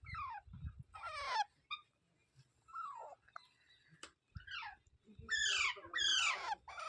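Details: Parrot making irregular scratchy chirps and falling squeaks between low rumbling and clicking noises, ending with two louder, rich, harsh screeches.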